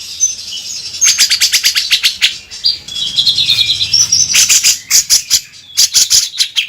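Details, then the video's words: Gacor grey-cheeked bulbul singing harsh 'beset kasar' phrases for songbird tutoring: fast rattling bursts of buzzy, high notes, a softer warbled passage, then more loud repeated rattles. "Masteran cucak jenggot gacor beset kasar"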